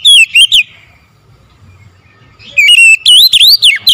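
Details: Loud morning singing from an oriental magpie-robin: a quick three-note whistled phrase, a second of near silence, then a longer, dense run of rising and falling whistles that climbs higher toward the end.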